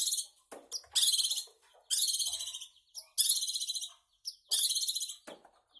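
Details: Long-tailed shrike in full, vigorous song: long harsh, buzzy, rapidly pulsed phrases of about a second each, separated by short clicks and brief gaps, repeated four times.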